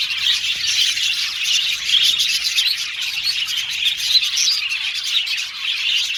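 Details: Many budgies, Australian parrots, in an aviary colony: constant overlapping chirps and warbled song, high and bright, swelling slightly in places but never stopping.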